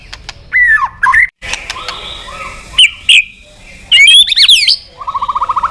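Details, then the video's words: White-rumped shama song intended to stimulate other birds: varied looping whistles and harsh bursts separated by short pauses, ending in a quick run of rising notes. "Suara Terapi Burung Murai Batu Gacor Emosi"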